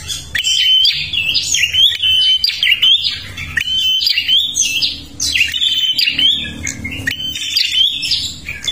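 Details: Energetic song of a prinia from Kalimantan, played to lure other birds: about ten repeated phrases, each a buzzy chatter ending in a short flat whistle, delivered at a steady rhythm with short gaps.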